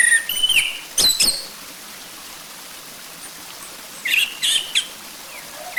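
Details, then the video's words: Orange-headed thrush phrases, used as a lure to get another bird singing: scattered short bursts of sharp whistles and clicks open and close the clip, with several quiet seconds between them. "Pancingan Ampuh Buat Anis Merah Biar Cepat Bunyi"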